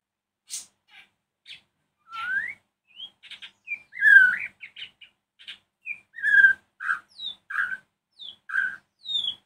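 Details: White-rumped shama singing in the evening to provoke other shamas to respond: a varied, continuous stream of sliding whistles, short chirps and sharp notes, with a loud rich warble near the middle.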